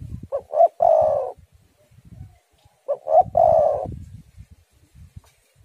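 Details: Spotted dove, its song used to lure and stir doves into singing. Two phrases, each of two short rising coos and one long throaty rolling coo, about three seconds apart, over faint low background rumble.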